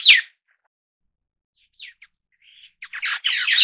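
White-browed Laughingthrush: a harsh opening note, a few short chips, then a fast run of scratchy, chattering notes toward the end.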